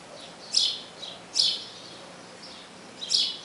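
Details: House sparrow calling the female to the nest: bright, harsh chirps repeated in an irregular series, roughly one every second, with softer chirps between them over a steady background hiss.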